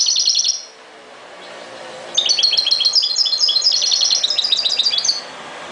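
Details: Goldfinch song: an opening flurry of high twittering notes, a quiet gap, then a three-second stretch of fast, jingling, liquid trills and chirps, densely packed and bright, ending sharply.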